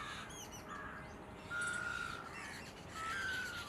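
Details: A red-naped ibis in Gujarat, India, gives two loud, harsh, nasal squawks about a second and a half apart, with faint high chirps from smaller birds in the background.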